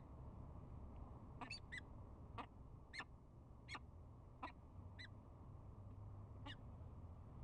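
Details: Courting peregrine falcons bowing together at a camera-watched nest in spring: a series of about nine brief, clipped chup notes, some in quick pairs, scattered across seven seconds over constant low-pitched background rumble.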